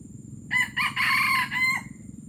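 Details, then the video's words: Junglefowl crowing, gerabas style, Palembang: a strong first note, a rough second syllable, an extended even middle section and a separate drawn final note, about 1.3 seconds, with steady low background hum. "Ayam hutan palembang gerabas gerabas"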